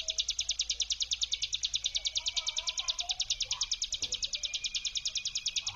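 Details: Lure recording of a mountain prinia brem: an unbroken, very fast pulsed trill, high and buzzy, repeated at an even rate throughout, with faint low chirps beneath.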